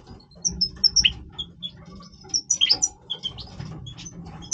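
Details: Goldfinch of the Major type singing in breeding voice: loose twittering of short high chirps and tinkling notes, irregularly spaced, with faint low background noise.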